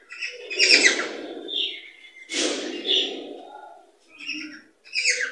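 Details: Cockatiels in a recording meant to stimulate breeding and production: bright, harmonic chirps and warbling squawks in bursts, separated by short pauses, over a low rumbling murmur.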